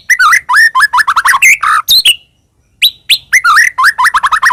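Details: White-rumped shama singing vigorously, used as a lure to attract other birds: dense, rapid, varied whistles, warbles and chatters, a brief pause, then another fast tumbling phrase.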